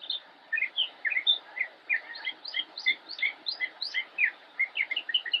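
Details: Immature Northern mockingbird singing from cover in Cabarrus County, United States, 10-10-2016, pouring out a steady stream of quick varied chirps and whistled notes, many per second.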